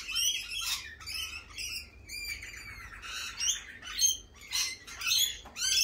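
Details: Lorikeets squawk in spring: ringing, piercing calls with sliding notes, given in quick clusters about every second, with several birds overlapping.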